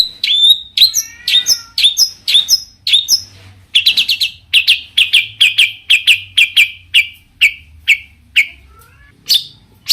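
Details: Long-tailed shrike varied song provoking other shrikes to join in: opening whistles and slurred notes, then a long regular run of harsh buzzy chattering notes about twice a second.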